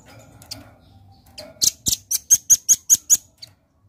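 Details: Red-billed nuthatch giving a steady series of about eight sharp, very high notes, evenly spaced about five a second, after a few faint scattered notes.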